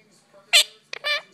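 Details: Six-month-old female pet quaker monk parakeet indoors, talking to the dog, saying words such as peekaboo: three short, harsh, voice-like bursts, the first loudest, with a person's voice saying peekaboo nearby.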